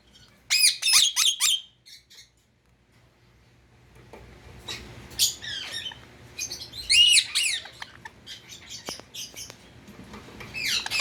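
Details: Quick burst of shrill screeches from a pet Indian ringneck parakeet, then quieter mixed chirps and squawks over a faint background hum, with a louder burst in the middle.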